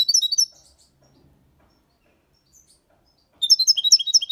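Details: European goldfinch, six months old, singing a clean copia Málaga song with colios, quejas and ornaments; two bursts of bright, high, rapid twittering notes separated by about three seconds of silence.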